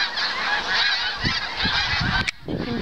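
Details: Snow geese by the hundreds flying overhead at a house in Farnham, St-Lawrence river lowlands, one autumn morning, migrating toward the Carolinas for winter: dense, continuous cacophony of overlapping nasal honks with wind rumble and a brief handling knock.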